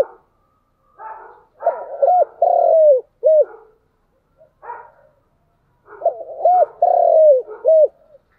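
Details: Spotted dove cooing, chiêu and thúc styles: two phrases several seconds apart, each of quick hollow coos capped by a long descending note, preceded by faint breathy sounds.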